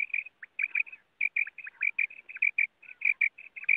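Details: Common quail, recorded in connection with net hunting, giving rapid, high, clipped notes in quick bursts, several per second, with brief pauses between runs; no other clear sounds.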